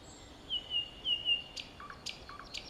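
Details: Thrush nightingale singing in Kiili, Estonia, 15 May 2017 at 19:59: four clear, high whistled notes in a run, then sharp clicks, each paired with a low double chuck, against a steady background hiss.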